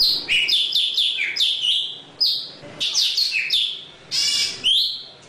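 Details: Java sparrow song used to call the flock, a rapid chain of high sliding chirps at the start, then scattered whistled notes and one harsh rasping burst near the end.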